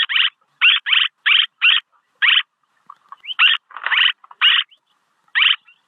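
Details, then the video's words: Swallow, played as a luring recording: a quick series of grating, buzzy chirps, some paired, broken by a brief pause and faint softer notes before the rasping chirps resume. "ສຽງນົກແອ່ນ ຄໍເລດ(ສໍາລັບຕໍ່) Tiếng én, Tiếng Chim Én เสืยงนกแอ่น"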